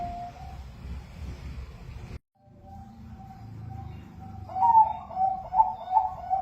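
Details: Bangkok-type zebra dove song used to prompt other doves to sing: a soft level tone, a brief cut to silence, then a run of louder warbling rolled coos, with low rumbling underneath.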